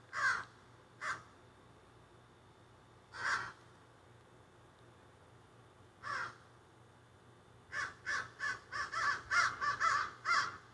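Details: Crows that flew up into trees behind a yard, recorded on a cell phone: harsh caws, a few spaced single calls early, then a quick run of about eight caws near the end, over a quiet outdoor background.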